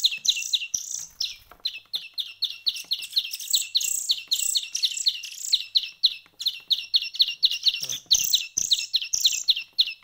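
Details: Chicks of a small bird, after a week of hand-feeding, producing steady trains of clipped high chirps, several birds at once, with a faint thump near the end.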